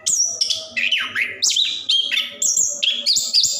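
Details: Caged orange-headed thrush singing nonstop, a long recording meant to coax reluctant birds into song; bright whistles alternate with falling buzzy notes in quick succession, each phrase distinct.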